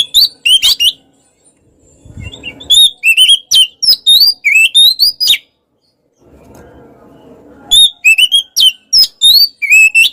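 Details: Oriental magpie-robin (kacer) in full, energetic song meant to rile opponents: rapid strings of bright, looping whistles and sharp chirps, broken by a pause filled with soft low rumbling noise.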